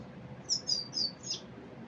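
Common Iora giving four quick, high, slurred notes, each dropping slightly in pitch, about a quarter-second apart, over a soft background hum.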